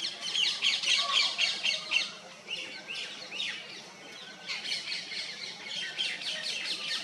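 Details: Paradise flycatcher at Agra in June 2021, building a nest; harsh, grating high squawks in quick rapid bursts, with a quieter pause midway, over faint outdoor background.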